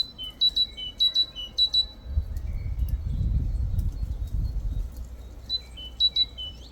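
A great tit gives bright, high two-note phrases, repeated in quick runs, with a low rumble of wind or traffic swelling in the middle.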